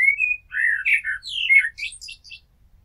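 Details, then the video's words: Blackbird song phrase from a resident garden bird: a clear whistled opening note followed by rich, slurred mellow warbles that climb into squeaky, high twittering flourishes at the end. "Amsel Gesang - Merle Noir Chant - Blackbird Song - Mirlo Cantando"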